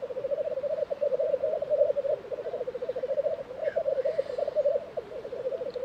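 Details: Rolling, pulsing low bubbling from a black grouse lek in Tiveden, Sweden, April 2023, almost alone, with only a faint brief sound from another bird.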